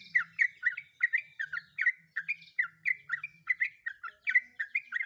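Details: Female sooty-headed bulbul, in breeding condition, calls for a male as a lure to train ropel singing; fast, continuous chirps and slurred notes run without a break.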